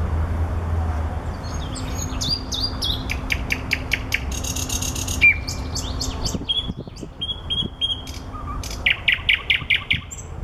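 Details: Nightingale song among flowers, a rich sequence of rattling trills, repeated sharp notes and whistled slurs changing every second or so, over low constant background noise.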